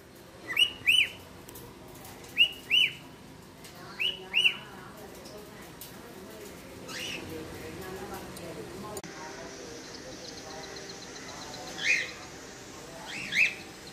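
Cockatiels give short, bright chirped whistles, often in quick pairs, over a soft steady hiss.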